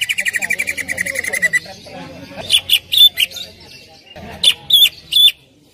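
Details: Greater green leafbird song used as a lure to prompt another leafbird to sing: a rapid buzzy trill of even pulses for about a second and a half, then sharp high whistled notes in two short bursts over a low background murmur.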